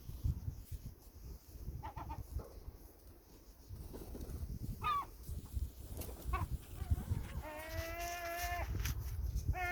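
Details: Gulls feeding; amid low rumbling background noise, a few short calls, then a long harmonic, nasal, level call lasting about a second near the end.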